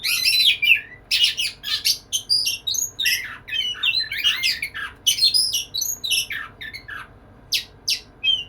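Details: White-rumped shama courting a female with energetic song, dense runs of harsh chattering notes mixed with clear whistles and downward slurs, pausing briefly before sharp closing chips.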